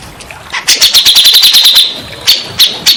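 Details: Grey-cheeked bulbul recording used to coax silent, stressed birds into singing: a quick run of about a dozen bright, evenly repeated high notes, followed by a few isolated sharp calls.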